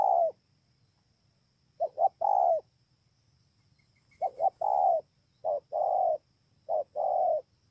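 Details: Spotted dove recorded 28 November 2017 at Bờ Y, Kon Tum, Vietnam. Phrases of quick double coos with a long mellow coo recur, then shorten to a single brief coo before each long note, given about every 1.2 seconds.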